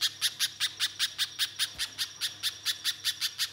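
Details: {'caption': 'Lively spiderhunter song for use as a lure: an unbroken run of crisp, high, evenly spaced chips, roughly five per second, over a faint low hum.'}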